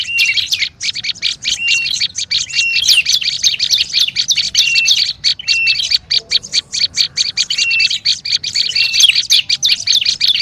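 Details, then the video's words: Olive-backed tailorbird lure sound: rapid, harsh, high-pitched chirps packed tightly together, punctuated by brief flat whistles. The busy chattering runs nearly continuously with only small dips. "SUARA PIKAT BURUNG PRENJAK LUMUT RIBUT"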